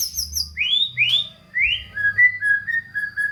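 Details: Shama song used to encourage lazy White-rumped shamas, starting with high thin notes, then rising slurred whistles and a run of shorter steady whistles at a lower pitch.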